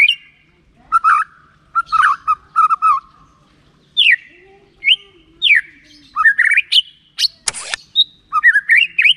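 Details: A white-rumped shama sings a rich, varied song of clear whistles, slurred rising and falling notes and quick chattering bursts, with a short harsh rasp midway, meant to prompt other shamas to sing.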